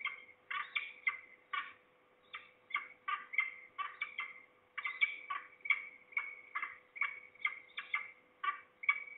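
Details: Afternoon recording from Trzebież, Poland, 2 September 2019, of at least two falcons, possibly young or a parent. A long series of rough, chattering calls repeats two or three times a second with brief gaps.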